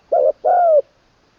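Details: Decoy spotted dove in training, third session, with the 'long kuk wai' ending and a full middle voice. One short low coo, a brief gap, then a longer sustained coo that slowly drops in pitch. The background is quiet.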